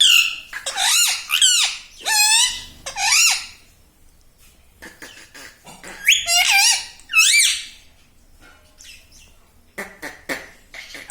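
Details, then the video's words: Talking pet parrot in a small room imitating family words like "Mummy" and "Papa"; a quick run of harsh, harmonic, swooping syllables in two bursts, then softer clicks and short squeaks trailing off. "Talking Parrot"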